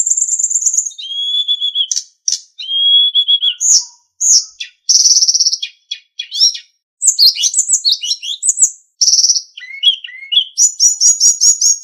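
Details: Sulingan singing on a master recording for training captive songbirds, a varied stream of clear high whistles, steady mid-pitched notes and quick chattering trills broken by short pauses, ending in a rapid repeated ringing series.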